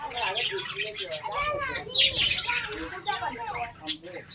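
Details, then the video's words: Warbling, arched chirps from a colony of Australian parrots, several birds overlapping, with occasional sharp high squeaks. "Australian Parrots Colony"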